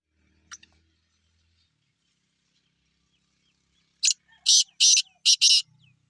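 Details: Wild francolin in a natural setting: after four seconds of near silence, a loud harsh call of five rasping bursts, the second pair close together, ending quickly.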